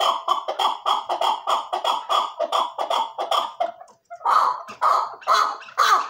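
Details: Chukar partridge delivering a fast string of chuck notes, a brief pause near four seconds, then louder, harsher notes resuming.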